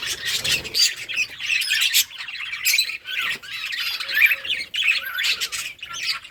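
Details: Colony budgerigars playing during the summer breeding season in August; steady scratchy warbling and squawky chirps from many birds, with faint thumps early on.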